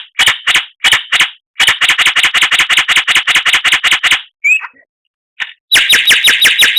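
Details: Masteran of a white-rumped shama (murai batu) full of harsh rattling series: dry rapid repeated notes in long runs, a brief whistled note, then another fast rattle.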